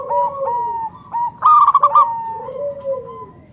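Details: Vigorously singing local perkutut, or zebra dove, whose song is meant to lure other doves into singing: a single burst of five fast, resonant coo pulses among softer, drawn-out, falling coos from neighbouring doves.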